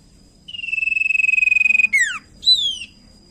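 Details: Common iora song of the cipow sirtu kind, very vocal, intended as a lure for other birds: a long steady whistle with rapid tremolo, ending in a steep down-slurred note and a short falling whistle.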